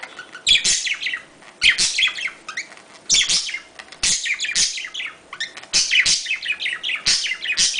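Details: Budgerigar mating call for encouraging breeding: bursts of excited chirping warble, each opened by a sharp click, returning about every second and a half with quieter gaps between.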